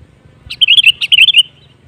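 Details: Sooty-headed bulbul singing a lure phrase meant to make other bulbuls sing: a rapid run of rich, gurgling whistles in two bursts, the last note drawn out and fading, with soft low-pitched background noise.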